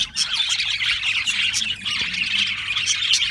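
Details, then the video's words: Australian parrots in a lively group, producing rapid high chirping and scratchy squawks that blend into one continuous chatter over a faint low hum. "Beautiful Australian Parrots Chirping sounds beautiful Parrots Sounds"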